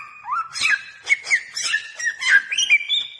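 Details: Bare-throated whistler song used as a lure and master recording for calling birds: loud, clear whistled notes sliding up and down, with sharp rising and falling phrases delivered in quick succession.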